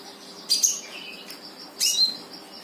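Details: Brown-throated sunbird song used to trigger singing in a silent bird: two bright, high chirping bursts about a second apart, each with thin whistled tails.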